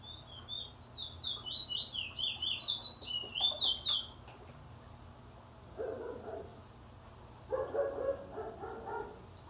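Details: Trinidad bullfinch in April 2021, singing the wheet drawl style named after Luther Vandross: rapid chains of high whistled notes, each sliding downward, for about four seconds, followed by low muffled knocks and murmurs.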